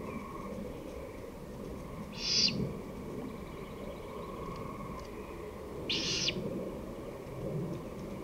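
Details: Great horned owl on 23 May 2018 in the late afternoon, 5:53 pm: two brief rasping, breathy screeches roughly four seconds apart, with low rumbling background noise.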